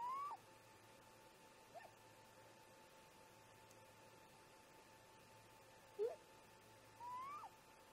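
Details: Early-morning exchange between great grey owl parents at a snag nest near 04:25: rising whistled notes open and close the stretch, with short dipping calls between them, one louder and lower, spread across eight quiet seconds.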